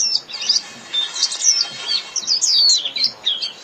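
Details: Japanese white-eye calling the flock, a dense tangle of high, thin, swooping chirps and twitters running through the whole short clip.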